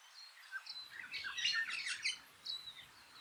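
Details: Eastern Rosella on a farm in New Zealand's Maungakotukutuku Valley on an early winter day gives a quick burst of bright, high chattering notes and short whistled slurs over a soft outdoor hiss.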